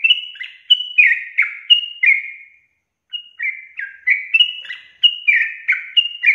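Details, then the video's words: Long ropel song of a sooty-headed bulbul: quick chains of whistled notes sliding down, then a brief pause before the rapid phrases resume just as brightly. "TRUCUKAN GACOR ROPEL PANJANG"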